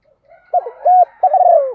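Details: Spotted dove hen calling males with one cooing phrase: a soft lead-in, a clipped note, a steady hollow coo, then a long wavering, slightly falling coo. The background is quiet.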